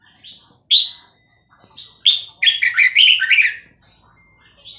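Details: Red-whiskered bulbul, Vietnamese type, caged, song played to teach young birds and excite them; short whistled notes, then a loud rich warbled phrase of fluty rising and falling notes, with a soft note at the end.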